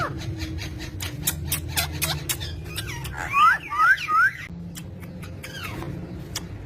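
A rose-ringed parakeet gives three loud, rising squawks in quick succession, about half a second apart. Soft clicks and indoor room noise are heard around them.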